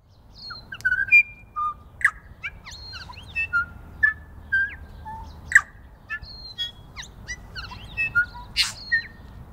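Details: New Zealand bellbirds feeding in snow on the first day of spring, giving a lively mix of clear whistled notes, chimes and sharp chips that jump between pitches at an irregular, quick pace; faint low rumble underneath.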